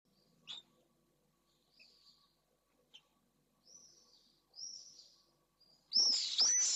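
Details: Pallid swift pair returning to their nest in the late evening at Jerez de la Frontera, after the female laid her first egg overnight; nest camera. Faint high buzzy screams scattered through, ending in a loud close double scream.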